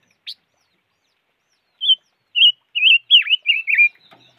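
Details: A string of warbling, trilled whistles from the five-coloured bird (chim ngũ sắc), about six notes in quick succession after an opening tick. Each note wavers in pitch, and one swoops down steeply. A soft rustle follows at the end.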